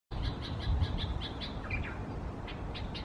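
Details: Bulbul in Israel, recorded 30 August 2016, angry at its own reflection in a mirror: a rapid series of short, sharp chipping notes, about four per second, with a brief lower two-note phrase midway over a steady low background hum.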